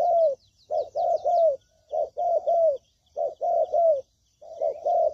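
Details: Spotted dove calls used as a lure for trapping: repeated low hoarse cooing phrases, a short note followed by longer falling coos, in groups with brief pauses; faint high chirping of small birds above.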